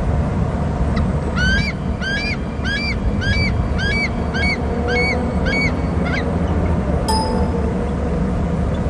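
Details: Loud bald eagle calling at a Hornby Island nest and territory as a third eagle arrives: a fast run of about ten sharp, squealing, downward-curving notes, then a brief higher squeal, over a low rumbling background.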